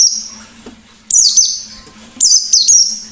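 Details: High-pitched white-eye notes from a lively wild-type bird: a long thin whistle, then scratchy downward-sliding bursts, two close together near the end, over a faint low hum.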